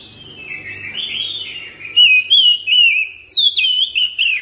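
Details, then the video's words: Home-kept white-rumped shama in daily therapy, soft rising warble at first, then a run of loud, clipped whistled notes with looping inflections and high overtones, repeated about every quarter second. "TERAPI HARIAN KACER RUMAHAN CEPAT GACOR NGROPEL NAFAS PANJANG"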